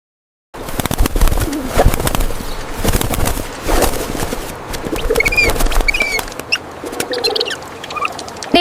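Pigeons give soft, low, rolling coos amid a rustle of flapping wings, with a few thin, high chirps from small birds toward the end.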